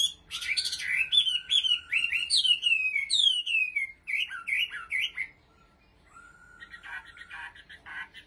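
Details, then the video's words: Chinese hwamei kept as a songbird in Bình Định, Vietnam, pouring out a loud, varied song of swooping whistles and quick downslurred phrases for five seconds, then softer buzzy chattering after a brief lull. "Họa Mi giọng hót cực hay và chuẩn"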